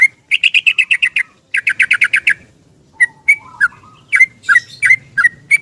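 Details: Yellow-vented bulbul singing a long 'ropel' song in the morning, seeking a companion and used as a lure for silent birds: a fast rattling run of bright repeated notes, a second burst, then scattered sharp whistled notes with faint low background hum.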